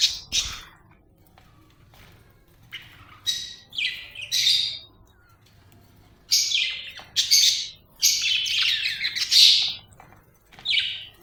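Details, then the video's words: Happy budgie chirping and warbling in repeated high, scratchy phrases, some short and clipped, others drawn out into chattering runs, across the whole stretch. "happy budgie chirping sound"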